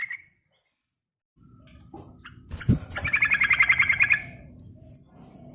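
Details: Yellow-vented bulbul used as a lure for other birds: a brief note, then a rapid pulsed chattering rattle lasting over a second, over low rumbling background noise.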